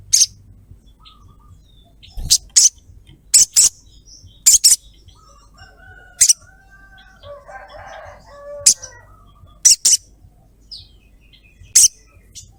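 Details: Female ruby-throated myzornis calling to a male, repeating short grating high chirps, often doubled, every one to two seconds, while a rooster-like bird and other distant birds sound softly midway.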